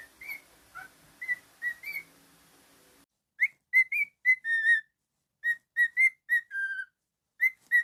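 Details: Pet cockatiel whistling a tune of short, clear whistled notes, some sliding up or down. Softer scattered notes over faint background noise come first, then a brief pause and a louder run of crisp, closely spaced notes.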